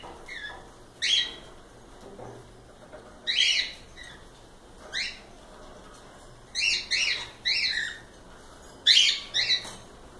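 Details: Cockatiels, several birds, giving sharp rising-and-falling chirps spaced a second or two apart, then a quicker run of three near the end, against a quiet background.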